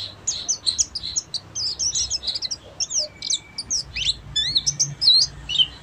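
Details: Full ngeriwik twittering from a Buxtomi Oriental white-eye: a nonstop chatter of high, squeaky, fast-changing notes and slurred whistles, with a soft low hum beneath.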